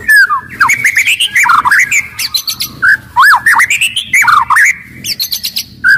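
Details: Loud, agile white-rumped shama, aggressive and singing to make other shamas sing and fight: a rich varied phrase of slurred whistles, rapid sweeps and sharp clicking notes with brief pauses between bursts.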